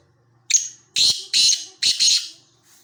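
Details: Black francolin (kala teetar), possibly a calling male, gives a thin whistled opening note, then four loud, harsh, grating notes in quick succession, with nothing else heard.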